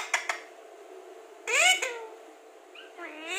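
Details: Alexandrine parakeet known as a clear talking parrot: two quick clicks, then a strong arched harmonic utterance, a brief higher note, and a final rising-then-falling syllable, in a quiet room.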